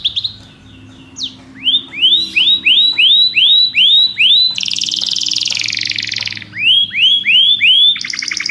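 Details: After a quiet start, a Belgian canary sings a series of rising, swept whistles, bursts into a dense buzzy roll, then returns to curved notes and a fast trill.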